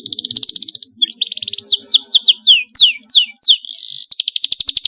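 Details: Canary singing to help young birds learn song: a rapid trill opens, then a string of steep falling and rising whistled slurs, a steady whistle and a final quick trill.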